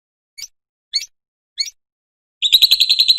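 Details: Lovebird ngekek, a sound used to lure and train other lovebirds: three short, sharp chirps spaced about half a second apart, then a fast, dense, high rattling trill bursts in at the end.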